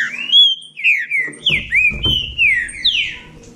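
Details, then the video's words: Competing trinca-ferro from Bahia delivering a rapid chain of clear, slurred whistled phrases, each note gliding down then up, about seven phrases in under four seconds, over a low background rumble. "Trinca ferro da Bahia disputando"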